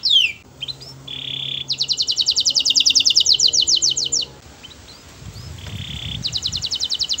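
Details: Canary song opening with sweeping notes and a steady buzzy tone, then a fast regular trill, a quieter gap, and another trill.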